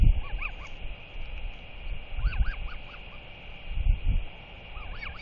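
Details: Begging Royal Albatross chick, about four months old, at its nest beside a resting neighbour adult; brief clusters of arched whistled notes in three bursts, separated by gusts of wind rumble.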